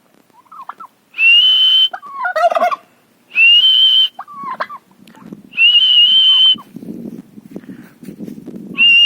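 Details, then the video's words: Turkey at a farm house, giving long, loud, steady high-pitched calls about a second each, repeated every two seconds, with shorter wavering squeaky notes between them and low rustling noise. "turkey bird in atitude at my farm house"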